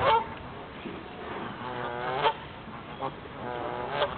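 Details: Canada geese at Waddon Ponds, source of the River Wandle, some taking flight: nasal, rising-falling honks with rich overtones, several spaced about a second apart over a steady background hiss.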